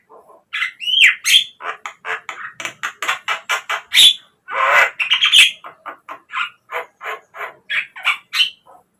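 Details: Javan myna song used as a lure to get captive birds singing: a fast run of harsh, scratchy chattering notes mixed with squeaks and a few whistled upslurs, delivered almost continuously for nine seconds.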